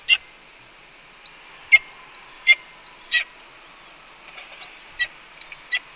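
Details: At a nest on 4 May 2013, early afternoon, a red-tailed hawk calls repeatedly while its mate eats a pigeon after delivering two voles. Upward-gliding whistles end in rough, clipped notes, six in irregular rhythm, with soft flapping-like sounds.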